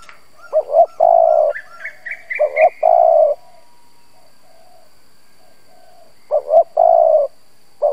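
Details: Lure spotted dove cooing to provoke other doves: short doubled notes followed by a long drawn coo, three phrases, with a small bird's rising series of thin chirps in the background between them.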